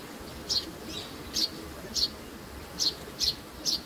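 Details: Sparrow chicks give brief, sharp high chirps, six in under four seconds at uneven intervals, over constant low hiss.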